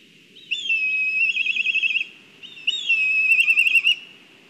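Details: Food delivery at a black kite nest in Kurzeme, Latvia, on a live camera: two drawn-out whistled calls, each starting level then shaking into a fast, quavering trill for about a second, with a short gap between them.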